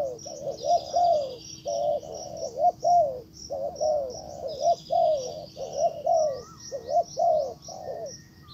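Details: Spotted dove acting as decoy, calling a wild bird: steady phrases of soft, hollow coos in clusters of two to four, backed by busy high chirps of other birds and a faint steady hum.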